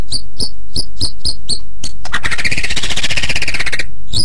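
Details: White-rumped shama singing for training other birds: spaced high chips, then a harsh, buzzy rattling phrase lasting nearly two seconds.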